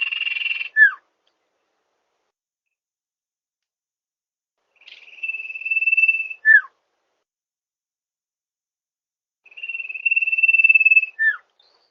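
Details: Lure call of the common iora for attracting wild birds: long even whistles, each closing with a brief steeply falling note, spaced about four seconds apart, opening with a grating buzzy note.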